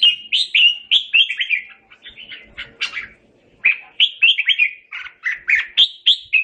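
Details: Red-whiskered bulbul singing to call its flock: bright, warbled phrases of quick rising and falling notes, repeated in bursts with a short pause midway, clear and close with no other sounds.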